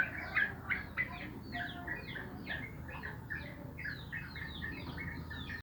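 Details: Morning chatter of sooty-headed bulbuls: quick, bubbly two- and three-note phrases with downward-slurred chirps following one another closely, over a low steady background rumble.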